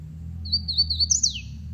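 Hooded Warbler song: a few clear, slurred whistled notes, then a quick sweep up and a sharp drop at the end, over a low room hum.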